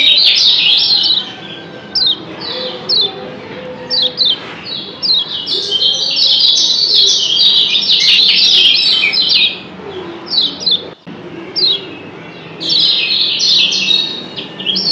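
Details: Lombok yellow white-eyes giving rapid, high, thin double chirps in dense bursts several times a second, with more than one bird seeming to answer back and forth; used to prompt other white-eyes to call.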